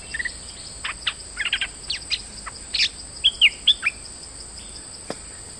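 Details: Streak-eared bulbul, a lure bird in moult, giving scattered sharp chirps and short whistled phrases with gaps between, a thin constant high hum behind.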